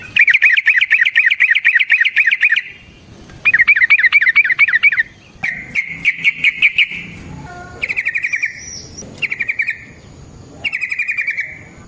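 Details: A yellow-vented bulbul (trucukan) gives a long, fast rolling song, used as a lure so other trucukan respond and as training material. Repeated bursts of rapid buzzy trills are separated by short pauses.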